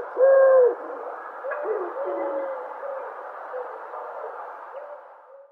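A dove gives a single steady, hollow coo lasting about half a second, then soft echoing murmurs fill the rest.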